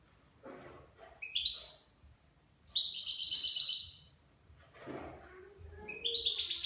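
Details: Nine-month-old goldfinch singing in the Levantine style: high bright twittering phrases, a rapid buzzy trill near the middle, brief chirps between, with a faint low rustling underneath.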